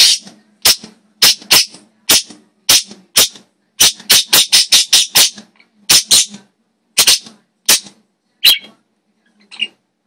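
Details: Pet parakeets indoors, the blue one calling, recorded on a phone: a rapid series of harsh, broadband screeching squawks in irregular bursts over ten seconds, some doubled, with gaps near the end.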